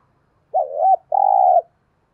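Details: Spotted Dove kept as a decoy to call wild doves, 'giọng thổ' style: two low mellow coos, the first wavering and rising, the second long, level and slightly burred.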